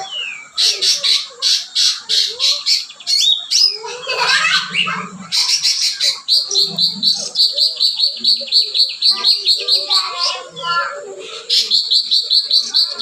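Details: Cucak ranting singing energetically with mimicked cotton-bird phrases, mixing rapid chattering bursts, high buzzy trills held for several seconds and short whistles, with faint lower chirps behind.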